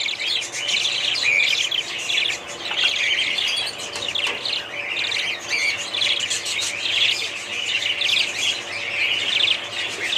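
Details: Budgies in a steady flock warble, trilled high phrases and chirps running together without break, with a few clear whistled notes standing out.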